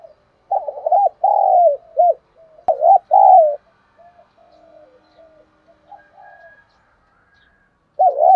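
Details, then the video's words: Spotted dove in thúc đấu đồng pha cooing, used to stimulate a decoy bird. A rapid run of loud throaty coos is followed by soft wavering notes, then one more loud coo at the close. A sharp click is heard. "Thuc dau dong pha - kích bổi hiệu quả"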